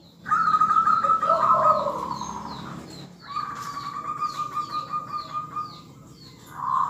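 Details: Local zebra dove in active song, meant to get every bird nearby calling: a wavering ringing phrase over a lower note, then a long run of soft rapid pulsing notes, with other faint high chirps behind.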